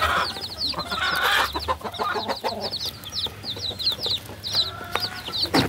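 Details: Chorus of baby chickens chirping, rapid high peeps from several chicks, with a brief lower rustling sound early on and scattered clicks.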